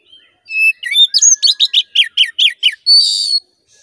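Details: Oriental magpie-robin song played as a lure to provoke another bird's aggression. High thin whistles lead into about ten quick, loud, descending slurred notes, closing with a harsh buzzy rasp.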